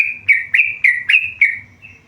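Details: Tame yellow-vented bulbul giving five sharp whistled notes, each with a quick rising flick into a level tone, spaced about a quarter second apart, then a faint trailing note.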